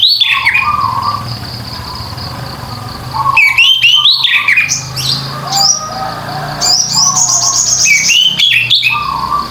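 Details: Orange-headed thrush singing in open 'ngeplong' style, used to coax silent birds into singing: bursts of rich, fast, slurred whistles rising and falling, with lower fluting notes between phrases, over a steady high-pitched tone and low background hum.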